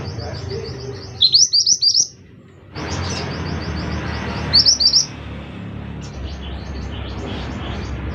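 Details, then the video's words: Orange minivet (Pericrocotus flammeus) singing actively: thin, very high chirps in a quick stream with two brief bursts of louder rising notes, over a low background rumble. "burung mantenan gacor"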